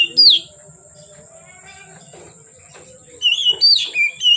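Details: Oriental magpie-robin song heard late in the day: one sharp whistle at the start, a long quiet stretch with faint clicks, then a quick burst of looping whistled notes near the end.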